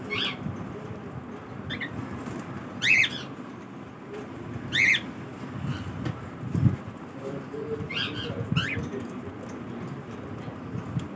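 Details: Cockatiel during its morning routine giving short, rising, harmonic chirps at irregular intervals, some in quick pairs, over a steady low indoor rumble.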